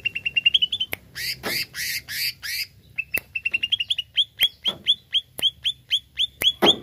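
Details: A greater green leafbird sings to provoke a kept rival. The song opens with a quick rising trill, moves into loud, rasping, buzzy bursts, then settles into steady, evenly spaced sharp whistled notes.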